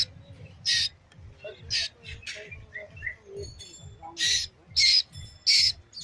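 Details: Asian koel chick producing scratchy, hissing bursts at an uneven pace, some short and weak, with louder ones toward the end, plus faint chirps and a low steady hum in the background.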